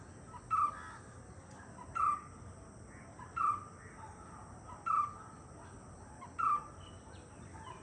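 A White-cheeked barbet gives a low, throaty single note, repeated about every one and a half seconds, over a steady high hiss in the background.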